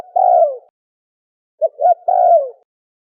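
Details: Turtle dove, known locally as the Malay dove, cooing in a clean recording: a long, mellow, falling coo, a pause, then two short clipped notes leading into another drawn-out descending coo. No other sounds.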